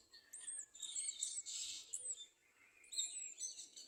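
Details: Garden sunbird at its nest, clinging to it while feeding its young. High, thin chirps and short twittering notes come in bursts, with a brief pause mid-way before more sharp tweets.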